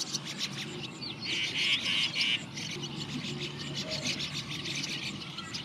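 A young brown rock chat gives quick, thin, high chirps, brightest in a short run midway, over busy background bird chatter and a low rumble.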